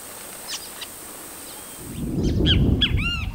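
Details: Red-cowled cardinal (Paroaria dominicana), a common Caatinga species in Brazil, gives a few sharp chirps, then a quick burst of clear, slightly ringing whistled notes over a low rumble of wind or handling noise.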